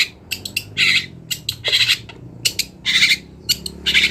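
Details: Wild long-tailed shrike used as a master song for training songbirds: loud, dense harsh chatter with grating squawks and quick clicks packed closely together, steady low hum underneath.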